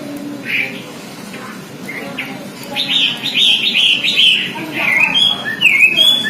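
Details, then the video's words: Mimicking other songbirds, an Oriental magpie-robin sings a few scattered notes, then a fast rolling series of whistled trills and slurs, ending with sharp rising and falling whistles, low hum behind. "si Robin masteran semua burung kicau"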